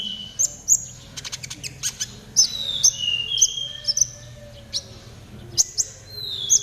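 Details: Trotol song of a konin for training caged birds: scattered piercing high chirps and short falling whistles with gaps of about half a second, plus a brief run of fast ticks, over a low background hum.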